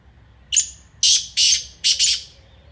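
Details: Black francolin (Francolinus francolinus) call: a harsh, grating phrase of one short clipped note, then three loud rasping notes in quick succession, high and scratchy.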